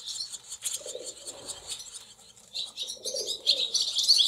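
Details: Nestling barn swallows in a cowshed with several nests, 28 July 2024: dense, loud, high-pitched twittering throughout, growing harsher and stronger toward the end.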